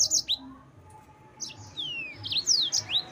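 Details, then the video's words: Yellow-fronted canary singing a lively song aimed at provoking rivals: scattered sharp, high chirps with a long falling whistle, then bright twittered notes near the end. "Mozambik Gacor NGEROL Terbaik untuk Pancingan bikin Lawan Naik Emosi"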